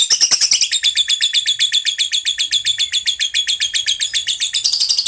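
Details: Lovebird giving the long, rapid chattering trill known as ngekek: a continuous, high, buzzy stream of pulses, about two or three per second, running unbroken for five seconds, with a sharper burst at the start and a swell near the end.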